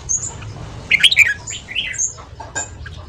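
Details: A red-whiskered bulbul gives quick morning song for voice training and stimulating newly caught birds, with a rapid cluster of slurred whistles, a falling warbled note, and faint high squeaky notes around it.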